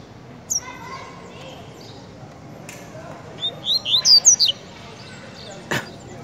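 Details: Kept coleiro, a double-collared seedeater singing tiziu style, gives a lone high note, then a fast run of about six loud, swooping whistled notes, followed by a sharp click; hiss underneath throughout.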